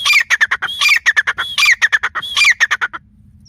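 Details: Grey francolin, locally called teetar, calling: three loud, harsh phrases, each opening with a strained rising note and running into a quick series of grating, clipped notes, then silence after about three seconds.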